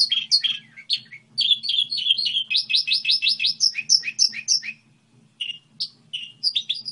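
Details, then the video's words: Goldfinch hybrid singing a fast twittering song with a rapid series of repeated sharp rising notes in the middle, then scattered chirps after a brief pause; faint low hum in the background. "Hibrid sticlete ,model de cântec (Goldfinch hybrid)"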